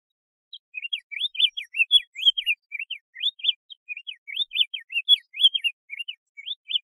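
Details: Diademed tanager singing a long unbroken series of crisp, slurred whistle notes that alternate rising and falling, running for over six seconds at an even, lively pace.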